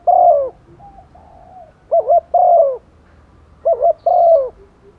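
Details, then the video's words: A female spotted dove calls males in the rainy season. Her full phrases repeat roughly every two seconds, each a pair of quavering coos and then a long croo that falls away. A softer mellow note sounds between phrases. "chim cu mái mồi gáy gọi chim trống mùa mưa, tiếng chim cu mái, cu gáy mái"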